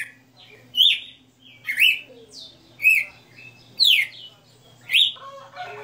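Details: Red-cowled cardinal kept by an owner, singing the 60 notas style: a run of sweet whistled syllables about once per second, alternating falling slurs and brief rising notes, with faint softer notes between.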